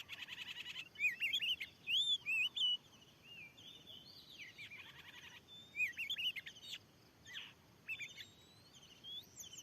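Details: Oriental magpie-robin, a very aggressive wild bird at a field where a lure has just been set. Sweet looping whistles alternate with harsh, buzzy bursts in an excited, irregular run of song.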